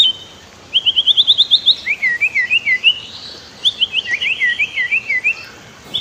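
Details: White-rumped shama master song meant to train other birds, set with river sounds: a rapid string of sharp, evenly repeated whistled notes, then swooping slurred phrases and another fast trill-like run, all high and clear.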